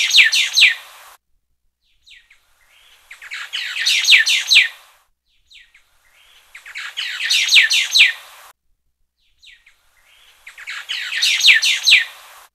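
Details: White-browed laughingthrush (Garrulax sannio) gives harsh, scratchy chattering bursts about a second and a half long, repeated every three to four seconds against a quiet background.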